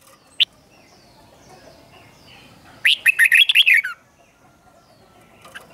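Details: Red-whiskered bulbul in a cage, its 'double' song used to teach young birds: one single phrase of about seven rapid bright chirped notes after a lone short chip, otherwise near quiet.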